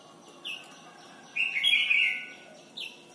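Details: Red-whiskered bulbul singing in Thailand, used to train young birds: a brief sliding note, then a loud, bubbling warbled phrase lasting about a second, ending with another short falling note.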